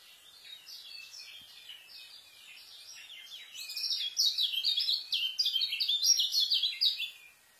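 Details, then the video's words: Fast white-eye song meant for tutoring young birds: a dense, rapid stream of high twittering chirps and trills, quieter at first and growing louder and busier in the second half. "KECIAL SPEED RAPET ISIAN,COCOK BUAT MASTER KECIAL BARU"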